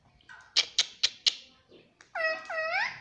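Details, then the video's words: Ringneck parrot kept as a pet: four sharp tapping clicks, then a short pause and two drawn-out, bending harmonic calls with a speech-like quality. "प्यारे मिट्ठू की प्यारी बाते || Cute Ringneck Parrot"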